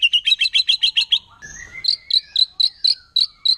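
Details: Wild white-rumped shama song that stirs other shamas: a quick series of sharp chipping notes, a brief low slide, then evenly spaced high chirps about four per second.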